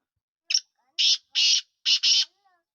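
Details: Black francolin, known locally as lakka, kala or latto teetar, Sindhi type: a short harsh note, then four loud rasping, grating bursts, the last two run closely together, with near silence between.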